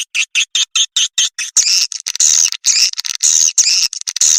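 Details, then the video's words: Call played to attract swiftlets: a fast series of short high chirps, then longer harsh buzzing trills repeated roughly every half second. "suara pemanggil burung walet"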